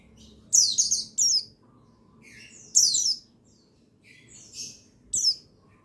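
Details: Buxtoni white-eye (pleci), male, as therapy sound to get birds singing; clustered high twittering phrases of falling notes, separated by pauses, with one softer lower chirp in between.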